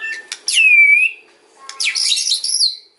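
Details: White-rumped shama in kretekan and ocean song style, used to lure other shamas into answering: a loud, clear down-slurred whistle, then a dense burst of harsh, crackling high notes after a short pause.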